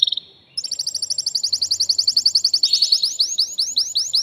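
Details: Male canary singing to stimulate a female to mate: a brief whistle, then a long, fast, even trill of repeated notes that shifts into slower, rising, sweeping chirps.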